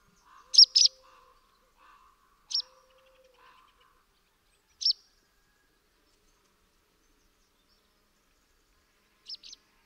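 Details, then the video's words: Barn swallow chatter call: a few sharp, high chirps, a close pair near the start, then single notes spaced seconds apart, with a faint low murmur early on and long quiet gaps. "How to attract Barn Swallow ? | Voice & Sounds | Chatter call"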